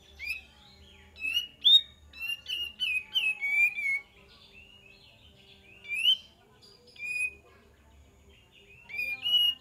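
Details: Sooty-headed bulbul (kapas tembak) song used as a lure to draw replies, with a forest flock setting; bright bubbly whistled phrases, rising and falling, come in short bursts separated by brief pauses, with faint low hum beneath.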